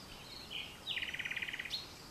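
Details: Common nightingale at dusk in vegetation bordering farmland, France, 22 April 2020: a soft whistle, then a fast rattling phrase of about fourteen rapid pulses, ending in a sharp upward note.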